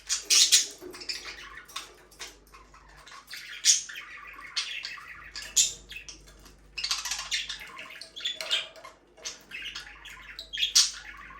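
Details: Budgerigars chattering continuously, with dense runs of scratchy warbles, clicks and squeaky chirps in quick irregular bursts, now and then a sharper high note, in a small quiet room.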